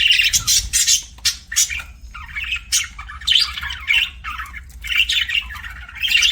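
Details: Pet budgie chattering almost without pause, a stream of scratchy chirps, short squawks and warbled notes in irregular bursts, loud and busy throughout.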